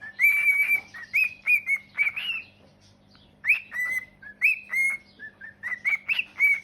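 A cockatiel sings a run of bright whistled notes, some rising and warbling, in quick bursts.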